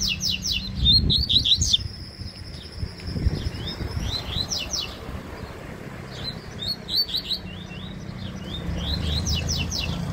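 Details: Rusty-collared seedeater from Bahia singing in a contest, described as fast and strong: quick runs of high, sharp chirped notes in repeated bursts, with a sustained thin whistle at times and low rumbling background noise.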